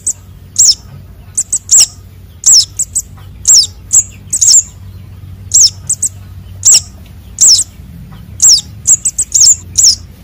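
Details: Konin and sogon sunbird chicks, a call for luring birds: very high downslurred chirps in clusters of one to three, coming roughly every second with short quiet gaps.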